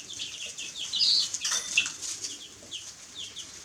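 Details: Chicks peep in thin, high, downward chirps while a burst of fluttering and scuffling noise rises in the middle, then the peeping carries on softly.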